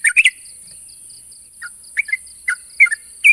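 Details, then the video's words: Sooty-headed bulbul calling to challenge a rival: a burst of short bubbly chirps at the start, then scattered brief liquid notes after a pause, over a steady high hiss and a faint pulsing high tone. "suara burung trucuk memanggil lawan"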